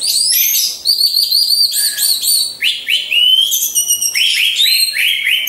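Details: Orange-headed thrush, caged and hung among others for training, sings loud clear whistled phrases, rapid repeated slurred notes rising and falling, delivered without pause in a rich, varied stream.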